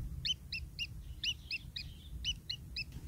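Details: Long-tailed shrike nestlings begging from a parent, spaced hoarse chirps about every quarter second, paired and fairly regular, over a soft low background.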